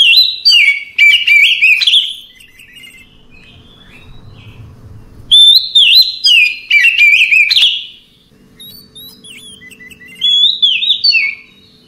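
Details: Oriental magpie-robin (Copsychus saularis), song.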